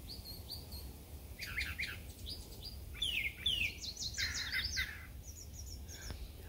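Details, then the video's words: Brown Thrasher singing a run of varied bright, sweeping and buzzy phrases, one different phrase after another, never seeming to repeat, over a low outdoor rumble. "is the brown thrasher talking up here listen for a moment"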